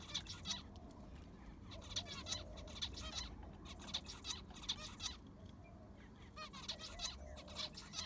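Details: Several aviary zebra finches, heard while the aviary is cleaned and its sand replaced, give clipped nasal toots in loose clusters of two or three with brief pauses, against a continuous low background rumble.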